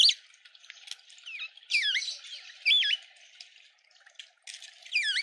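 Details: A red-winged starling in a suburban garden in Pretoria, South Africa, gives loud, squawky calls that swoop and warble between high and mid pitch, in bursts about a second apart, with faint background chatter.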